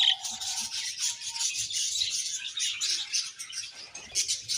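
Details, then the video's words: Steady budgie chirping, an unbroken wash of fine, scratchy twitters, opening with a few clear warbled notes. "Beautiful Budgies Chirping Sounds"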